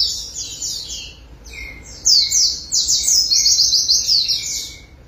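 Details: White-eye (pleci) right after a water bath, singing persistently with its beak open: rapid, high, sweet twittering in dense bursts, a pause, then a longer run of fast chattering notes, with faint thin steady whistles underneath.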